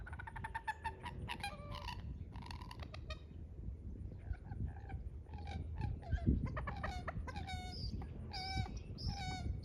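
Common moorhen giving loud, harsh clucking calls in quick bursts, some notes abrupt and rising, over a steady low rumble.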